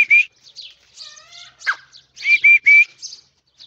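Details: Irani teetar partridge: brief loud whistled notes at the start and end around a softer, buzzy, wavering note, with three strong flat whistles close together near the finish.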